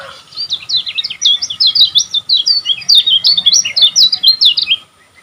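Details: Kecial kuning, a Lombok songbird, in a fast chattering song used as a tutor recording to get caged birds singing: about five seconds of rapid high twittering notes, sharply rising and falling, with no pauses.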